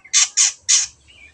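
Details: Long-tailed shrike, played as a lure to get birds singing: three loud, harsh, rasping squawks in quick succession, followed by a faint thin whistle.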